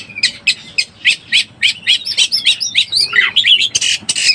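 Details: Oriental magpie-robin in breeding condition, used as a lure: a string of sharp, evenly spaced chips at about three to four per second, then a looser jumble of whistled slurs and raspy notes.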